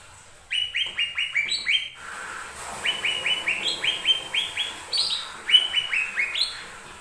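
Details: Lesser green leafbird song used to provoke other birds to sing: rows of rising whistled notes repeated quickly in steady series, shifting pitch between runs, with a few sharper high notes near the end.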